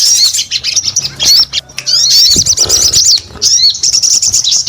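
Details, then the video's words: Busy, high-pitched song of a sogon bird, with quick slurred chirps and twittering runs broken by brief gaps and a soft rustle midway. "SUARA SOGON GACOR"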